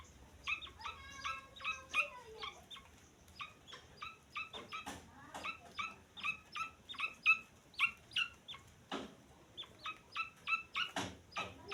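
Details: Grey francolin chick producing steady high peeps with clear harmonics, a quick run of chirps early on, then evenly spaced single and paired calls roughly every half second, with occasional clicks.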